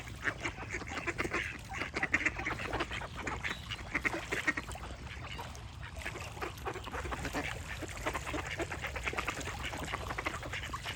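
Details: Many ducks give rapid, overlapping raspy quacks for the whole stretch, while birds sing and chirp behind them against constant ambient noise.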